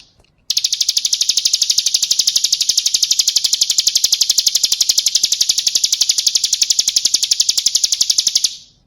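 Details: Lure call of a female bar-winged prinia summoning a male: one unbroken, steady run of very rapid, high-pitched ticking notes lasting about eight seconds, then silence.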